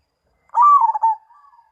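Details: A lone zebra dove phrase: a mellow coo that rises, trembles through a few rapid stuttered notes and tails off into soft, faint cooing, heard clearly with no other sounds.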